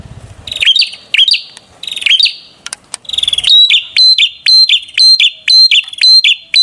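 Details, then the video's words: Prinia song shifting from a few slower whistled phrases to a fast, regular run of sharp high notes, each ending in an upward flick, almost two per second. "Kicau Merdu Burung Perenjak"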